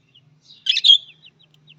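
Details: Budgerigar call: a single short burst of bright, warbling chirps lasting under half a second, high-pitched and slightly scratchy, with near silence before and after.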